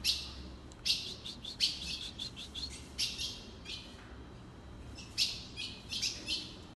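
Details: Ultramarine grosbeak call: a lively series of sharp, high, metallic chips, some in quick pairs and triplets, repeated throughout over a steady hiss.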